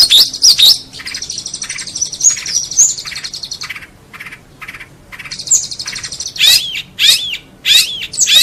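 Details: Long-tailed shrike master recording used to tutor competition songbirds: chattering, mixed high phrases in runs, a brief pause, then several loud rising-and-falling sweeping whistles at the close.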